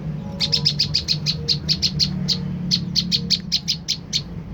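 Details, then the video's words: Olive-backed tailorbird lure call intended to make other tailorbirds respond. Clear, rapid series of high, crisp chip notes in two long runs, fairly evenly spaced, with only a faint low hum behind. "putar suara prenjak lumut ini dijamin prenjak stres//macet bunyi langsung nyaut"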